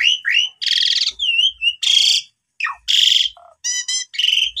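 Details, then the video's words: Asian pied starling song used as a lure to rouse starlings that have stopped singing: wavering whistles alternating with harsh, buzzy rasping bursts and short broken phrases. "Coba Gunakan Pancingan Ini ! Semua Jalak Suren Yang Lagi Pundung Macet Bunyi Seketika Langsung Emosi"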